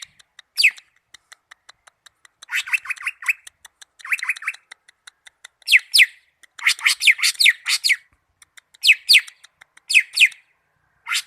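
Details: Greater green leafbird from Malinau giving bursts of bright, steeply falling whistled notes, some clusters chattery and lower, with brief gaps between phrases.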